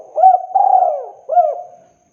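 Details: Spotted dove giving a clear lure call: three low cooing notes in quick succession, a short hooked note, a longer sliding coo, then a final hooked note fading away, with no other sounds.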